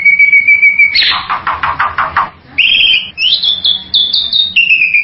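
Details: Bali myna: a level whistled note, then a rapid run of rasping, clattering pulses, followed by stepped, ringing whistles that hop between slightly different high pitches.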